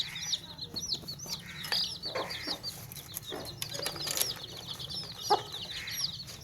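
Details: Baby chicks in a tokri basket, peeping constantly in dense high thin chirps, many overlapping downward-sliding notes, with occasional soft lower clucks beneath and faint background rustling.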